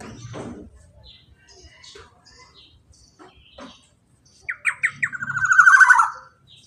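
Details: Black-naped oriole 'ropel panjang' song for prompting a quiet bird to sing: after several seconds of faint murmuring and scattered sounds, a series of sharp falling notes runs into a loud, rapid, buzzy rolling trill.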